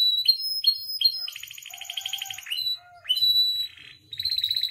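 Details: Captive canary training song: short paired whistled notes, a long loud buzzy trill with a faint low hum beneath, a sustained clear whistle, then another fast trill.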